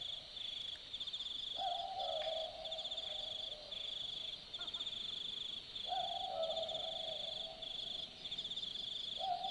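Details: Australian boobook calling at night in the Australian bush, Dharug National Park: low two-note boo-book hoots, the second note slightly lower, given about every four seconds over a steady high pulsing chorus of night insects.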